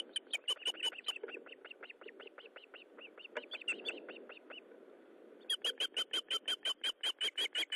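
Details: Osprey at a nest during feeding, 19 July 2012, 9:43: long, rapid series of piercing whistled cheeps, about three per second, softer in the middle then loud and even again, over faint background hiss.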